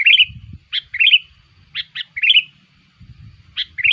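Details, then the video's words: Sooty-headed bulbul calling as a lure for bulbuls: busy series of sharp clicks and gurgling warbled chirps in quick succession, with faint low rumbling noise at times. "SUARA PIKAT KUTILANG"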